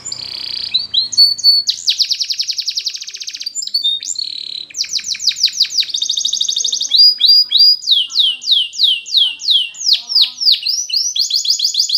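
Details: Powerful Spanish Timbrado canary training song: a long metallic rattling roll, then chopped pulsed phrases and a closing run of loud falling whistled swoops repeated in steady rhythm.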